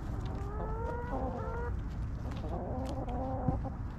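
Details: Backyard chickens relaxing in a cozy coop: a hen's rising, stretched clucks in two phrases, then softer repeated clucks, over steady low background noise.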